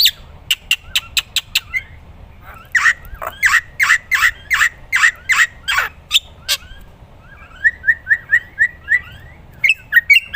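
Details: Lively black-winged myna song meant for training other songbirds: quick sharp ticks, a run of harsh squawks, then fast chattering whistled phrases at the end.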